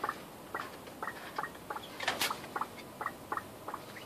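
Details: Captive red golden pheasants calling while being fed: short, clipped notes repeated about twice a second, with light pattering and tapping around them.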